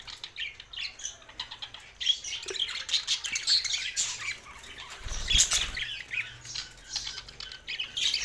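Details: Singing budgies in Larkana, Sindh: twittering, squeaky warble from several birds, quieter at first then fuller, with a sharp low thud like a knock or wing flutter just after five seconds.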